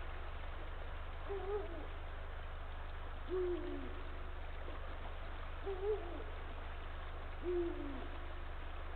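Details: Wild Eagle owl pair at a nest in Estonia, evening of 21 March 2023: the male calls his mate off the nest before copulation, giving four soft, low, short hoots a second or two apart over a steady low hum.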